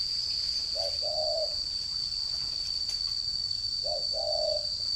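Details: Caged decoy spotted dove, a ground decoy bird from northern Vietnam, recorded 11 June 2018. It gives two low, mellow cooing phrases, each a short note then a longer one. A steady high electronic-sounding tone runs throughout.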